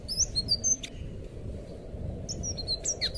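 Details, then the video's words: Blue thrush (anis biru) song for training captive birds: a short flurry of high whistled slurs, a gap of over a second with only hiss, then another quick burst of bright whistles. "suara burung anis biru buat masteran burung bahan"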